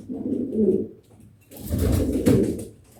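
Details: Indoor pet pigeon giving a short, deep coo while nesting, followed by a louder coo overlaid with a rustling, broadband noise burst.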